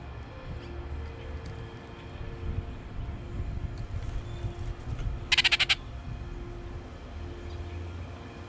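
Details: Baltimore oriole at grape-jelly feeders in southeast Kansas on May 9, 2019, gives one dry, rapid chatter of about six harsh notes lasting half a second, over a steady low hum and faint background tones.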